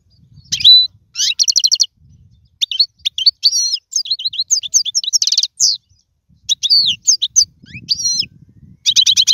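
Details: European goldfinch song used for teaching young birds to sing: bursts of bright, liquid twittering and quick buzzy trills, broken by short pauses, with faint low rumble underneath.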